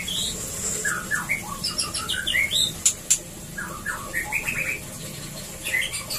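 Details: Song of a white-rumped shama used to encourage mating in a breeding cage, a rapid run of clear whistled notes and sweeping slurs, broken by a couple of sharp clicks or wing-like bursts midway, over low hum.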